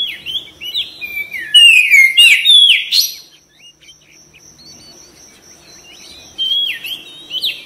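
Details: White-rumped shama song from a cage bird: a run of falling whistled slurs builds into loud rich phrases, then fades to a quiet gap before short upward whistles return.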